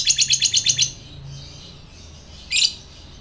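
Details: Fighter lovebird chatter used as a bait sound to provoke other lovebirds: a rapid run of about eight harsh, high chirps in under a second, a quiet pause, then one more loud rasping burst.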